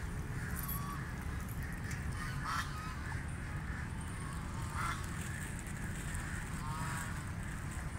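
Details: Call duck feeding in water: brief harsh quacks spaced a couple of seconds apart, some rising slightly, set against constant deep rumbling background noise.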